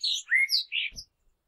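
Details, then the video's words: Common blackbird giving a short burst of song: three quick slurred whistles, the middle one lower, ending in a brief high squeak, then silence. "common blackbird sounds"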